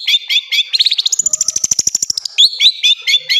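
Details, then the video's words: Long-tailed shrike singing a full filler master song for training other birds: short high chirps, then a fast rattling run of clicking notes climbing higher, ending in sharp rising whistled chips. "Masteran burung cendet terbaik full isian"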